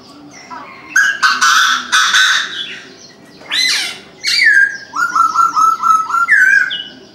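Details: Morning call of a Chinese francolin: several loud, harsh, buzzy notes, then a rapid regular series of about eight clipped syllables ending on a higher note, over soft background cooing.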